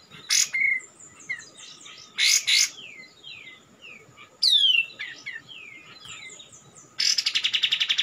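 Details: White-eye call used to lure birds for trapping: short high chirps and quick downslurred whistled notes in loose runs, broken by loud buzzy bursts and a closing rapid rattling series.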